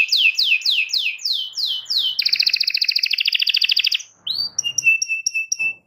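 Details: Domestic canary singing, meant as a tutor for young canaries learning song: six falling whistled slurs, then a fast buzzy rolling trill lasting about two seconds, then a short pause and crisp, repeated high clipped notes.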